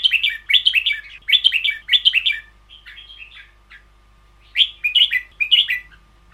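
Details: Song of a caged red-whiskered bulbul in the long doubled style, a long string of rapid chirping whistles, then softer fragments, a pause, and a final burst of bright notes.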